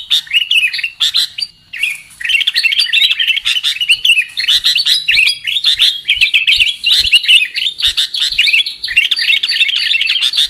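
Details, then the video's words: Lure call of the sooty-headed bulbul for trapping birds, with a brief quiet gap near the start, then continuous bubbling chirps and twitters, punctuated by faint clicks. "Suara PIKAT Burung KUTILANG"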